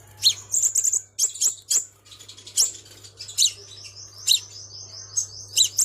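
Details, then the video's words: Crimson sunbird used as a lure bird in Vietnam gives very high, sharp chirps in quick bursts, ending in a short rapid trill, over a faint low hum. "TIẾNG CHIM HÚT MẬT XÁC PHÁO MỒI"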